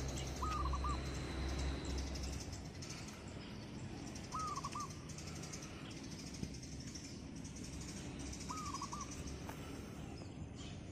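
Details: A wild zebra dove on a roof at morning repeats a short, low, rippling coo phrase three times, roughly every four seconds, partly masked by steady broadband noise and distant bird chirps.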